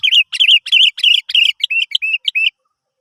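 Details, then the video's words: Sooty-headed bulbul song played as a lure to set other birds singing: a rapid run of about ten bubbly, warbled whistled phrases, each a quick rising-falling flourish, delivered in steady succession for two and a half seconds. "Pancingan Burung kutilang"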